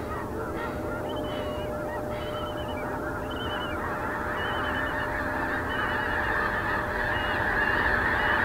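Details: Snow geese flock taking off on a Wednesday morning, 30 January 2019, at Richmond, BC, Canada: a dense chorus of overlapping nasal honks, with some higher wavering calls above, rising steadily louder toward the end.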